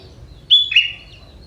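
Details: Sooty-headed bulbul, young and from the forest, said to mix prinia phrases into its song: a short high whistle dropping into a lower warbling note, followed by a faint trailing chirp.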